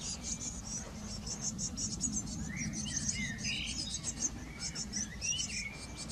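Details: Eurasian blue tits tending a brood at a garden nest box: continuous very high chirping, joined midway by several lower, clearer rising and falling whistled notes, low background noise.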